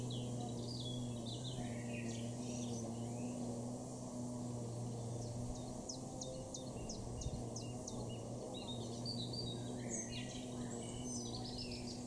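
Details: A chiffchaff sings in a garden in Norden, East Frisia, northwest Germany, in April 2023: about eight even, high notes in a steady seesaw, roughly two or three a second, over a constant low hum, with other birds chirping.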